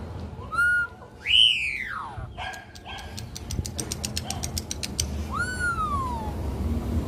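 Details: Campo troupial wild song: rich, slurred whistles that rise and fall, with a dry clicking rattle between them, over a low background hum.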